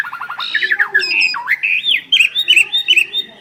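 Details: Two prized Asian pied starlings sing as a duet: a quick run of rising chirps, then varied whistled phrases, bent slurs and sharp squawky notes that trade back and forth at a lively pace.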